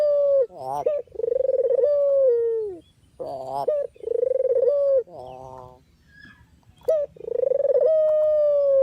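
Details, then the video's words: Puter or deruk dove, recorded for luring and training birds, uttering even, slightly falling coos with stuttered rising inserts, four coo phrases with a brief quiet pause midway. "suara asli burung puter/deruk buat isian,pikat dan pancingan"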